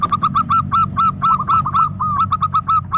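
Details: Energetic local zebra dove song of crisp, rapidly repeated cooing notes, roughly four each second, steady and unbroken, with a low hum beneath.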